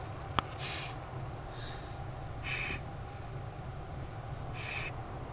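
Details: Eastern screech-owl in a neighbour's owl box, trying to look big in defence when people peeked in, gives one sharp snap and then three harsh, breathy hisses about two seconds apart, over a steady low rumble.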